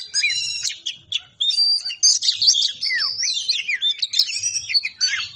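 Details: Ngobra patah song of an Oriental magpie-robin, used as a master recording to train other birds: rich, continuous high warbling with quick rising and falling whistles, buzzy trills and sharp chips, barely pausing.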